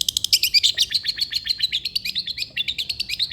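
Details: Long-tailed shrike song used as a master track to prompt a lazy shrike to sing. It is a fast, dense chatter of high, scratchy notes, about eight per second. The notes mix buzzy and sharp chips and keep an even rhythm throughout.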